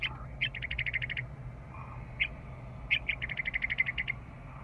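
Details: Spring returnee to Rocky Mountain Arsenal National Wildlife Refuge, a western meadowlark close to the loop-drive vehicle, rattles off two rapid strings of about ten dry, even notes each, separated by a lone chuck, over engine-like hum.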